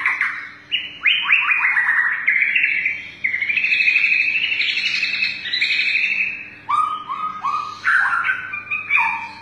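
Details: Long-tailed white-rumped shama (murai batu) singing in bursts ('nembak') while bowing in a respectful contest posture. Loud, rich whistled phrases with rapid rising notes and sweeping slurs, then a pause and a fresh series of rising notes.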